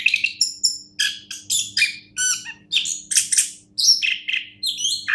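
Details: Orange-headed thrush (anis kembang), a champion songbird, delivering a rich, varied song of quick whistled and buzzy phrases, rising and falling notes in bursts about every half second, with a faint steady electrical hum beneath.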